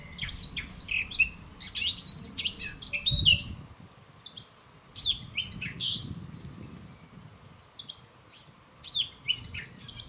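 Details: European goldfinch (Carduelis carduelis) singing: bursts of rapid tinkling, twittering notes and high buzzy trills in fast jumbled phrases, separated by short pauses, with a faint low rumble beneath.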